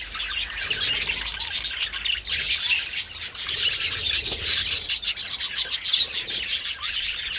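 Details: Budgerigars enjoying treats outdoors in the sun on 27th February, a dense, unbroken stream of high chirps and scratchy warbling from many birds at once.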